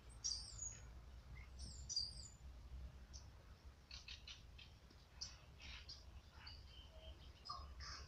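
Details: Tui calling: very high, thin whistles that swoop downward, given in a quick pair early on, followed by scattered bright chirps and short notes over a low rumble of background noise.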